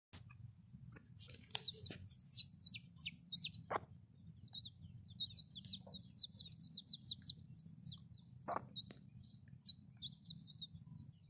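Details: Backyard hen with her chicks in a city flock: a soft scatter of high, thin peeping chirps in quick runs, a few sharp lower clucks near the start and end, over a steady low hum.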